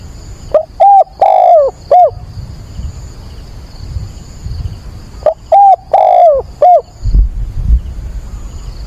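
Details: Decoy spotted dove calling at daybreak, 22 October, to draw and train wild birds; two loud four-note coo phrases about five seconds apart, each with a long sagging middle note, low rumbling noise between.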